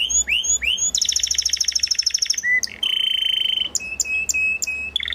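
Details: Timbrado canary song: rising whistled slurs, a dense rolling trill, a short low note, a steady flat ringing tone, then spaced sharp clicks over a level hum.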